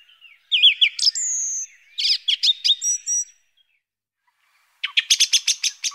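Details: A song thrush sings loud, varied phrases of fluty whistles and sharp chirps, then a quick run of about seven repeated ringing notes, with nothing else heard.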